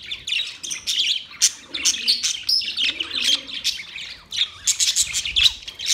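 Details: A colorful colony of white and green parrots calling together: dense, overlapping harsh chirps and squawks, high-pitched and continuous, with no clear rhythm.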